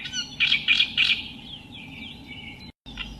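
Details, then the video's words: Three loud, harsh chattering notes from a reed warbler (Acrocephalus), followed by softer thin slurred whistles and a brief quiet break before a final faint note. "Burung Kerak basi"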